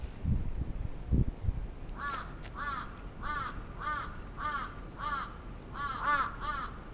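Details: A crow attacks in Atsubetsu Ward, Sapporo, Japan, 27 June 2017. After a few low thuds, a steady series of about eight harsh caws comes roughly twice per second.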